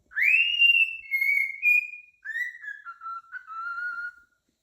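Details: Cockatiel in the morning whistling a clear, tuneful phrase of long sustained notes that step downward.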